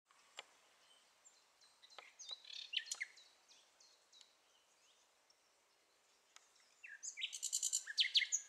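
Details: A common nightingale singing across a neighbourhood gives high, varied phrases of clicks, slurred notes and whistles, ending in a loud burst of fast repeated notes, over a faint background hiss.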